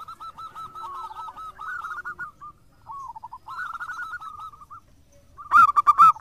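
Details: Local zebra dove in full song, used as a lure: bursts of quick rolling coo notes with brief pauses between phrases, ending in a sudden loud clattering noise over the final notes.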